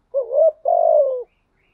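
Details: Single coo from a decoy spotted dove of the thổ voice: a short wavering note followed straight away by a long, slightly throbbing note that slowly falls in pitch.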